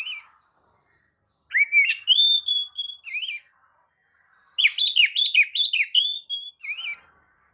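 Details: White-rumped shama song to encourage other birds to sing: a rising whistle, long level whistled notes, wavering trilled phrases, then a rapid run of chirps after a pause.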